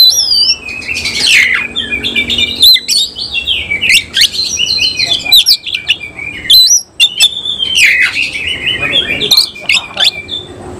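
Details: Oriental magpie-robin of the Cililin type, caged and singing with its tail spread; long rich runs of whistled notes, rapid trills and chattering sweeps, nearly continuous throughout.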